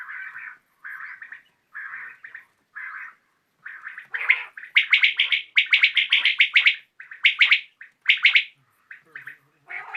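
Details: Common quail heard in the evening, opening with a row of low buzzy notes, then rapid bright pulsed bursts packed closely together, each phrase clipped and repeated in quick succession.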